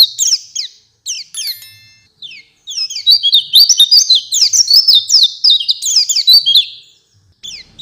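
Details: Oriental white-eye in lively 'gacor' singing, filled with varied phrases while responding to another bird: scattered high chirps open, then a sustained run of fast twittering notes, tapering to isolated chirps at the end.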